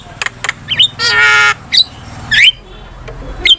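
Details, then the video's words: Starling lure and master recording for bird training: scattered clicks and short whistles, a sustained harsh buzzy note lasting half a second, then slurred rising whistles over a low background rumble. "PANCINGAN DAN MASTERAN BURUNG JALAK"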